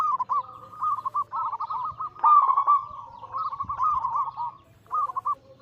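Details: Zebra doves singing together as a lure for silent birds; several overlapping bubbly coo phrases run almost continuously, ending with a short separate flourish.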